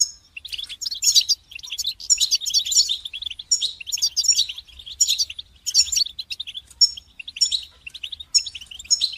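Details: Several European goldfinches in a group chorus intended to help moulting goldfinches resume singing; continuous high, liquid twittering with quick chirps, short trills and scratchy notes running almost without pause.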